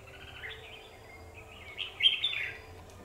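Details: Caged decoy red-whiskered bulbul in a trapping session, fighting at the trap cage on 9 November 2019; a soft warbled phrase builds into a louder, sharp chirping flourish near the end over a steady low hum.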